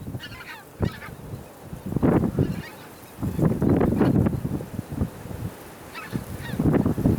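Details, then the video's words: Tundra bean geese, a small group filmed on Texel in the Netherlands in late December 2012, calling with deep repeated honks that build into dense overlapping bursts, separated by brief quieter stretches. "bean geese"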